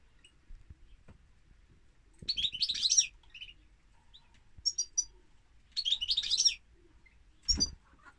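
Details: European goldfinch singing: short bursts of bright, tinkling twitters high in pitch, separated by pauses of a second or more, with a soft thump near the end.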